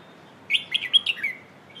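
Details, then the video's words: Red-whiskered bulbul in the hoot song style used to teach young birds: one brisk phrase of five or six bright, bubbling whistled notes, then a falling slurred note and a faint whistle. "เพลงโห่ เสียงฝึกร้องนกกรงหัวจุก"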